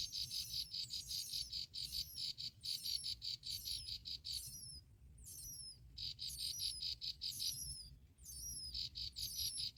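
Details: Both bar-winged prinia parents feed black locusts to their chicks. A fast, buzzy, pulsed trill runs almost continuously, overlaid with repeated high, thin down-slurred whistles and brief pauses.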